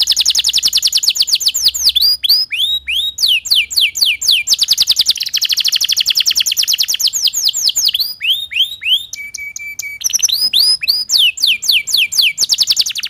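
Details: A Timbrado canary (also tagged as a Belgian canary) sings a long, rapid, varied training song of rolling trills, swooping whistles and buzzy runs, with one steady pure note held briefly.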